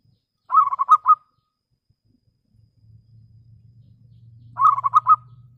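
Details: Clear-voiced local zebra dove song aimed at rivals, two brief phrases of rapid trilled coos separated by about three seconds, with a low steady hum in the background between them.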